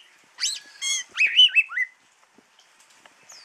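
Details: Kacer jawa, the Javan oriental magpie-robin, kept caged and offered for sale, delivers one rich phrase of upslurred whistles, a harsh buzzy note and warbled rising-falling notes ending in a downslur, followed by near silence and faint ticks.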